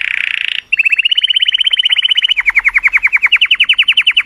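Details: A colorful canary sings to stimulate females. A short buzzy burst is followed by a long, very fast, even trill. The trill slows and dips lower, then climbs back to a brighter rolling phrase.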